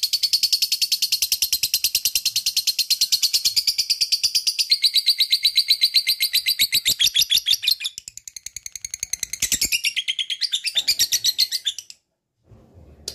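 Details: Long ngekek chatter from a lovebird, a continuous rapid stream of shrill, buzzy notes lasting around twelve seconds, slowing and breaking up toward the end before stopping into silence.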